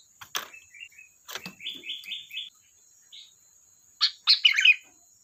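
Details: Sooty-headed bulbul: sharp notes and a quick run of four evenly spaced whistled chirps, then a loud bubbly flourish at the end, over a faint high whine.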